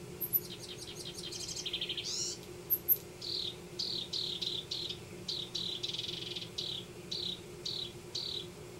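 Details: House wren nesting in a yard in Denver sings: a bubbly trilled opening with a few very high ticks, then a long series of short buzzy downslurred notes repeated about twice a second, with a low background hum.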